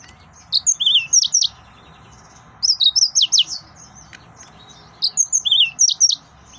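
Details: Excited male yellow-fronted canary repeating a high, fast twittering phrase three times about two seconds apart, with whistled slurs and sharp chirps over a low background hum.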